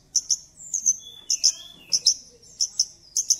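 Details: Very high, thin double notes from a lively Javan bush lark, repeated in pairs about every half second. The recording is a lure for a silent bird and has a quiet background.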